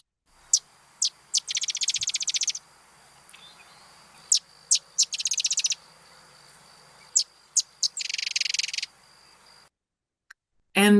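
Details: A Sedge Wren sings three times on the Canadian prairie marshes: two or three sharp, high intro chips, then a dry, harsh, machine-like rattle like a sewing machine, repeated about every three seconds; the song stays very consistent between calls of the same individual.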